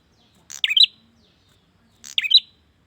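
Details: Male bar-winged prinia calling for a female, giving two crisp, high, buzzy chirps about a second and a half apart against a quiet background.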